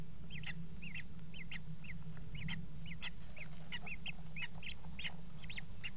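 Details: At a nest box on the Axel water tower in the Netherlands, 5 February 2018, common kestrels mating on the box edge give quick repeated curved notes, some paired, with a steady low droning background.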